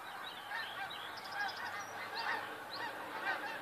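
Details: A huge flock of snow geese, February 28, 2013, calls in a busy babble of honks, several distinct yelping notes audible over the continuous background roar.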